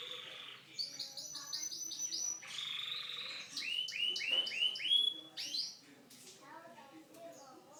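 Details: Domestic canary singing varied phrases: a quick string of high clipped notes, a rattling burst, then lower rolling whistled notes repeated rapidly before scattered soft chirps.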